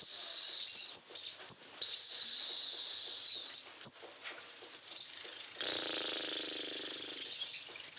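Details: Sogon in heightened breeding condition delivering a fast, shrill song of sharp chips and sustained buzzy trills, with a long unbroken phrase near the end.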